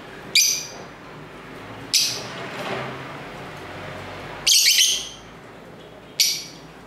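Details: Lovebirds at home calling to each other, camera internal mic: four separated shrill, rasping chirps, one slightly longer, over steady low street noise.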